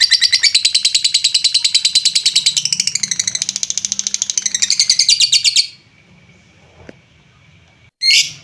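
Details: Lovebird song meant to rouse less active lovebirds into singing: rapid high chattering trill lasting about five seconds, then quiet, ending with one short harsh note.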